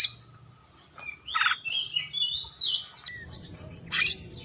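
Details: Oriental magpie-robin (kacer) song for masteran, softer: drawn-out gliding whistles rising and falling, a few harsher bursts, over a faint low hum.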